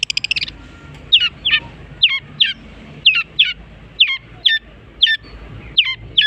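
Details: A long-tailed shrike copying other species: a steady run of sharp, swooping whistled notes spaced about half a second apart, after a brief opening rattle.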